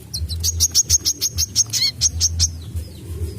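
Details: Kolibri kelapa, or brown-throated sunbird, in lively 'nyecret' song meant for tutoring kept birds: a fast string of piercing high chips, about five per second, broken midway by a short buzzy trill, ending in thin fading whistles over a low background rumble.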